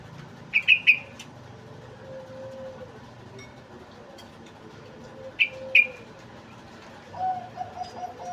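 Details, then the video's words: Sooty-headed bulbul singing in the ngeriwik style: two short bursts of bright, quick chirps, each of three or four notes, about five seconds apart, with low hum and faint whistles behind. "Trucuk ngeriwik"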